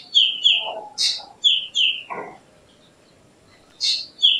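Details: Black drongo singing a rapid series of bright, falling whistled notes mixed with harsh, rasping bursts. A quiet gap follows before another rasp and a clear note close the sequence.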